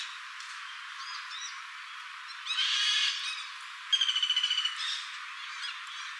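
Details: A female common flameback woodpecker in Singapore gives a rapid, even rattle of about ten sharp, high notes after a harsh, scratchy burst, with faint chirps from other birds behind.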